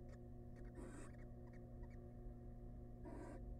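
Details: Wild barn owls in a monitored nest box as the male brings a large rat to his family; two harsh, hissing screech bursts, the first near one second and the second past three seconds, with scratchy shuffling between over a steady low hum.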